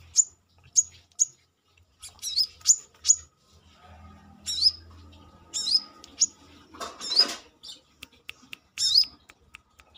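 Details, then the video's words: Brown-throated sunbird, known locally as kolibri kelapa or manggar, singing loudly outside its cage; sharp high chirps with upward sweeps, scattered in irregular bursts, over faint low background hum. "KORLAP (Kolibri kelapa)Manggar gacor luar sangkar"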